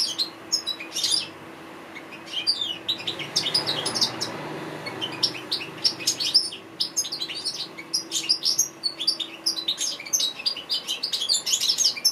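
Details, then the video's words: Sustained African goldfinch song, a long run of liquid twittering, tinkling chirps and trills, very high and fast, with a brief quieter stretch midway and a faint low hum throughout. "Amazing African goldfinch bird singing"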